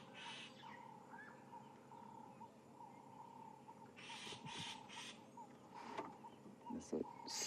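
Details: Starling alarm calling at dawn in Djuma, Kruger area, South Africa, likely because predators such as a leopard are nearby: harsh, buzzy bursts in short clusters, with a steady insect-like drone and quiet human voices.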